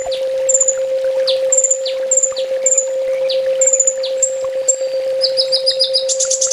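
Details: Training master song of the olive-backed sunbird (kolibri ninja), full tembak style: a series of thin, high, slightly falling whistles and sharp downslurred notes, ending in fast buzzy trills, over a continuous low hum.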